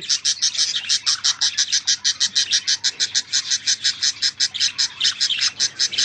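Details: Jealous pet bird calling indoors: a long, rapid train of high, scratchy chirps at an even pace, dense and unbroken for several seconds.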